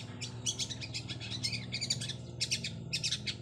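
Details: Spotted long-tailed shrike ('cendet trotol') searching for an opponent: scratchy, buzzing chatter in short clusters over a steady low hum.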